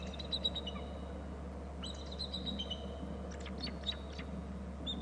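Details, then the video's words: Bald eagles at a nest territory on Hornby Island as a third eagle arrives; faint high piping, chittering calls in several short series over steady low hum and wind. "3rd eagle arrives from the left to top bst; lots of calling"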